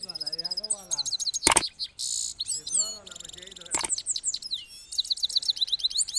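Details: Himalayan goldfinch, Parachinar, 2022: fast, bright twittering song of high, rapid chirps and trills, with sweeping metallic notes, broken by loud broadband clicks or bursts, while lower wavering tones run beneath.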